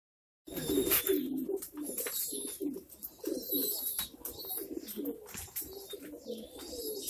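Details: Female Pomeranian Pouter pigeon of Bhavnagar, Gujarat, India, giving low rolling coos in short bursts among other pigeons, with scuffling, wing movement and room noise throughout.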